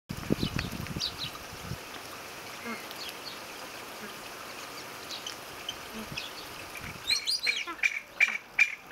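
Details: Juvenile spotted whistling ducks newly added to an aviary flock give thin, high whistled calls, bunched in a quick series near the end, after a stretch of quiet background rustling and faint thuds.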